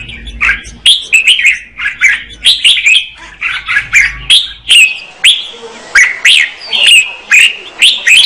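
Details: Red-whiskered bulbul female singing to spur on the male: steady, rhythmic chirped and whistled notes, roughly two per second, with some low background rumble early on.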